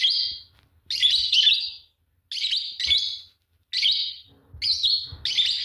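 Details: Singing pair of green Fischer's lovebirds: loud, grating high chirps in doubled bursts, roughly every 1.4 seconds, each pair of notes followed by a brief silence.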